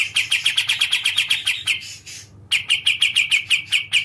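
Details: Quick sequence of sharp, high chirps from a Kapas Tembak bulbul, slowing slightly, a short hissy break, then another burst of bright, evenly repeated notes.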